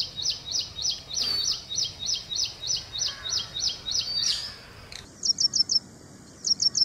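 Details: Ashy prinia (Prinia socialis) song: a fast series of high, sharp chip notes, about three per second, followed by quicker bright triplets.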